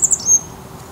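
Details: Grey wagtail at Salinas y Arenales de San Pedro del Pinatar regional park, Murcia, Spain: two very high, sharp, quick notes then a thin high whistle, all within half a second, over faint background hiss.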